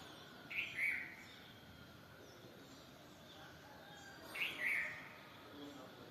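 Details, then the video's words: A bulbul gives two brief whistled phrases some four seconds apart, each a quick warbling burst, against faint steady background noise. "Tlaiberh (bulbul) rah tlān"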